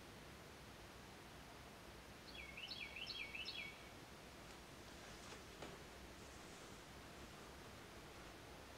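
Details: A Carolina wren perched on a tree branch with buds sings one brief phrase of three or four rolling, repeated whistled notes. Steady hiss and light rustling run throughout.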